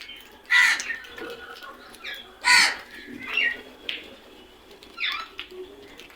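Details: Loud, harsh crow caws separated by pauses of a second or two, the strongest in the middle, with fainter squawks in between.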